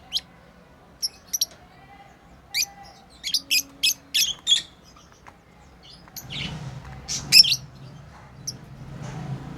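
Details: Pet lovebirds during play giving scattered short, high chirps, a run of quick notes in the middle, then rustling and a broad noisy scratching sound in the last seconds.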